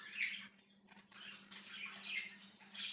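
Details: Budgerigar chirping, recorded 1/6/2023: a short run of scratchy, buzzy chatter with a few brighter chirps near the start, over a steady low hum.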